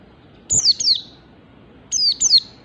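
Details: Mountain white-eye in ngalas standar song: two pairs of high, thin, downslurred whistled notes with a buzzy edge, about one and a half seconds apart.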